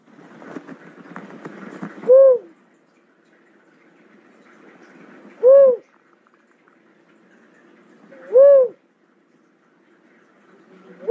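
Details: Three brief, hollow coos from a cuckoo-dove, repeated about every three seconds, with some rustling noise before the first note.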